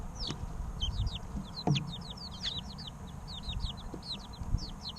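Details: Three-week-old domestic chicks recorded in real time, chirping busily: a dense stream of short, high, downward-slurred peeps from several birds at once, overlapping and irregular, above a steady low background rumble.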